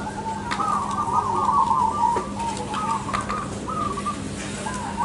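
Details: At a singing contest, crossbred zebra doves coo together in overlapping, bubbling phrases repeated in quick succession, several short rising-and-falling bursts, over a constant low background hum.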